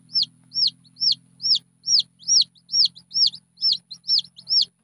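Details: Young red junglefowl peeping steadily, each note a high arched chirp rising then falling, evenly spaced roughly twice per second over a faint low hum.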